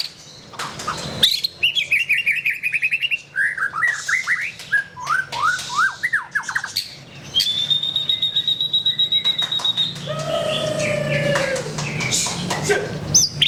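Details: White-rumped shama in a long varied song: a buzzy rapid trill, a run of falling slurred notes, a steady long high whistled trill, then lower drawn-out whistles.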